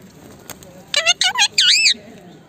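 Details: Talking Indian ringneck parakeet giving a quick run of high, harmonic, speech-like syllables: four short clipped notes, then a longer wavering, warbled phrase that rises and falls, all over a quiet, faintly noisy background.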